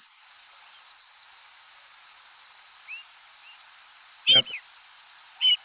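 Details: Rose-breasted Grosbeaks passing overhead during nocturnal fall migration give two brief, clear, slurred flight calls about a second apart, over a steady high insect-like hiss of short warbler and sparrow zips and seeps.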